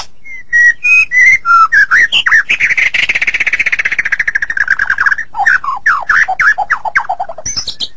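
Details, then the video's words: White-rumped shama masteran song: clear separate whistles, then a long rapid rattling trill of repeated notes lasting several seconds, followed by descending slurred chirps and a final high flourish. "Masteran Suara Murai Batu"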